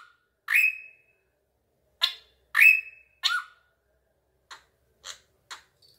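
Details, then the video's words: Drongo calling as it is urged to sing louder: harsh notes ending in high flat or lower dipping whistles, then several short, dry clicking bursts that fade out. "BURUNG SRIGUNTING SUARANYA MENGGEMAH"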